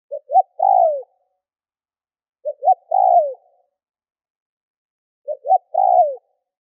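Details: Spotted dove lure call meant to provoke wild doves, three identical phrases about every two and a half seconds, each two quick short notes then a long descending coo, nothing else audible.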